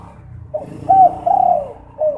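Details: Spotted dove calling at night as a lure to get other doves calling. A soft coo is followed by two long, low, slightly wavering coos and a short final note, with a faint rumble behind.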